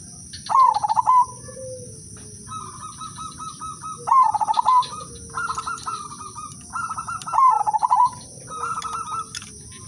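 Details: Melodious lure song from an udanmas silver zebra dove, meant to get other doves singing: loud, quick, stuttering coo phrases of pulsed notes recur among several softer, higher trilled phrases from neighbouring birds, over a constant faint high whine.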